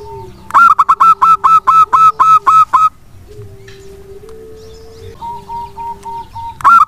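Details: Local wild zebra dove, a lure meant to get lazy doves to answer and sing; a fast run of about ten loud, staccato coos, then steady low tonal hums and a softer string of repeated notes before another loud coo.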